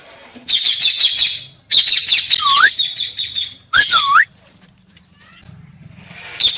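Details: Parrot producing bursts of harsh raspy squawking interspersed with short curling whistled notes, with quieter low background noise between bursts.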